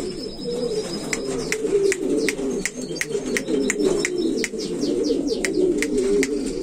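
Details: Overlapping deep cooing of buchón valenciano antiguo pigeons runs throughout, with frequent sharp clicking sounds and brief high chirps in the background.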